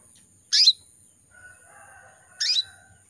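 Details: Female canary in breeding condition calling to males, a kept cage bird in Indonesia: two short, bright, rasping chirps about two seconds apart, each with a high sweeping note, over a steady high electronic hiss.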